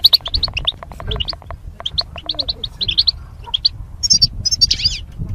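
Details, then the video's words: In cages as mating pairs, goldfinches twitter rapidly in a dense run of high chirps, ending with buzzier, wavering notes; steady low background noise. "Goldfinch Chirping Sounds"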